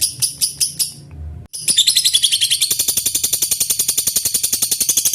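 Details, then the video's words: Tame lovebird singing a long 'ngekek' trilling bout, meant to provoke rival birds into singing. A few sharp chattering notes, a brief pause, then a long, fast and steady run of harsh, buzzy high notes at about seven per second. "Lb ngekek durasi panjang"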